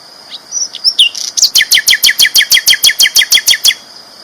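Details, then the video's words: Flycatcher singing loudly, a champion bird's tutor track: a few high whistles, then a fast, even series of about sixteen sharp descending chirps, roughly four per second. "BURUNG SIKATAN LONDO GACOR ISTIMEWA KERAS LANTANG"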